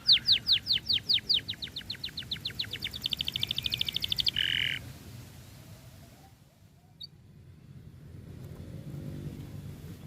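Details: Canary singing to provoke other canaries into song: a fast train of loud repeated notes, then a buzzy rolling trill and a short low buzz, followed by several seconds of near silence.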